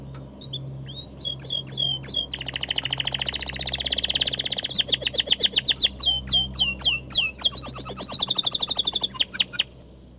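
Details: Canary singing at full voice: high, fast rolling trills, many notes a second, joined by sweeping whistled slides and sharp chips, nearly continuous throughout, with a low steady hum beneath.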